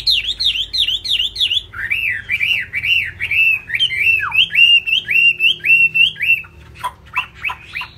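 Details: Laughingthrush singing high while bowing and flapping its big fig-leaf-shaped tail: fast rising-and-falling whistled notes, about two per second, stepping from a higher run to a lower one, then sharp down-slurred notes.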